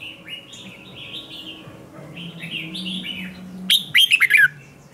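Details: Red-whiskered bulbul morning song used for training birds to sing a fierce competition song: soft, quick warbled phrases, then a loud burst of sharp chirped notes sliding downward near the end, with faint lower warbling beneath.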